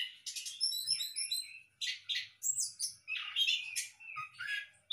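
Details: Orange-headed thrush bred in a hanging cage gives a series of rapid high twittering notes, then rougher chattering phrases and sliding whistles, with faint low knocks.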